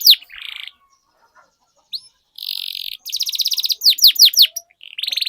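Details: Canary song used to encourage other canaries to sing: brief notes and gaps, then buzzy trills and a few sharp descending whistles, ending with another trill.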